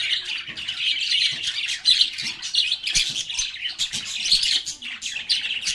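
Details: Lovebirds playing and talking produce a thick, unbroken wall of high twittering and harsh squawks, with louder peaks scattered throughout and faint soft taps beneath.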